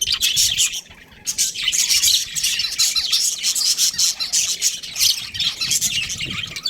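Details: Budgerigar breeding pair giving continuous buzzy, high-pitched chatter, broken by a brief lull after the first second, then steady overlapping chirps and squeaks to the end.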